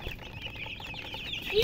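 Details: A brief burst of baby chicken peeps: thin, high cheeps tumbling quickly one after another, with a louder note at the very end.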